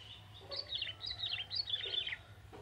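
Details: Young male bar-winged prinia from the forest singing vigorously: a loud, continuous, high twittering phrase of quick up-and-down notes lasting about two seconds.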